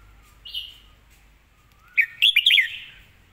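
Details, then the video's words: Red-whiskered bulbul with a clean, quick song: one soft whistled note, a pause with a low rising slur, then a loud tumbling series of bright, rolling whistles in the second half. "สำนวนดี"เดินเพลงชัด ปากไวเสียงชัด"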